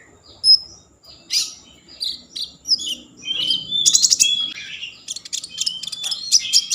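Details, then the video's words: Song of a common iora, played to spark breeding mood and get other ioras singing: scattered bright whistles and chirps at first, building into dense rapid trills and buzzy chattering bursts near the end. "Konin gacor Mambangkit kan Birahi || pancingan konin agar bunyi"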